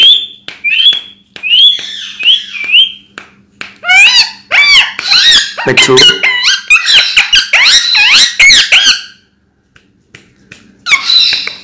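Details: Hand-tame, bonded pair of rose-ringed parakeets (Psittacula krameri) in Hyderabad talking: shrill, nasal, speech-like chatter for about nine seconds, a pause, then a last squeaky burst, with sharp clicks throughout.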